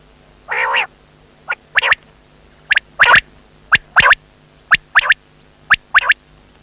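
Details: Quail calling: one drawn-out nasal note, then sharp, clipped chirps, often paired, repeated roughly once a second against a quiet background.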